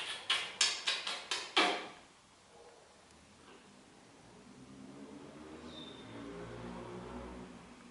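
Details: A green-winged macaw gives six harsh, rasping squawks in a quick burst over under two seconds, then low rumbling background and one brief high whistle.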